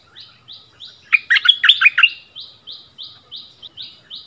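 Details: Two bulbuls in a song duel, a decoy bird facing the resident territory holder: a soft, high, buzzy note repeated about every third of a second runs throughout, interrupted midway by a loud, tumbling, warbled phrase.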